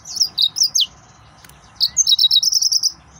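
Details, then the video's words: Agitated male yellow-fronted canary from Mozambique in full song: three sharp slurred whistles, a pause, then a fast run of about ten bright repeated notes forming a high trill. "تغريد مرعب سورا الموزمبيقي"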